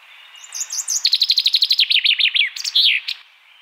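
A Common Chaffinch's song: a quick run of bright chips that speeds up and drops in pitch, ending in a flourish, all in about three seconds.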